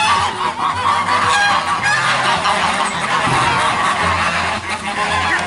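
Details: Many geese honking together at the same time, a thick unbroken chorus of harsh nasal calls, accompanied by sustained low musical notes in the background.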